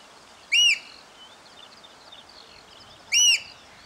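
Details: Two loud, shrill piping notes from a Eurasian oystercatcher after the rain, recorded hand-held from a hide, about two and a half seconds apart, over soft twittering from other small birds.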